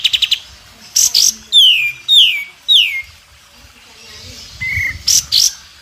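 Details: Masteran recording of a White-rumped shama for teaching young birds: short bursts of high notes, three loud downward-sliding whistles, and a soft low whistle, then more high bursts.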